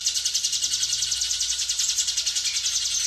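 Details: Hill prinia, fast and tight 'ngebren' style song used to train other birds. A quick, steady series of high, buzzy pulses repeats about three and a half times per second, clean and uniform.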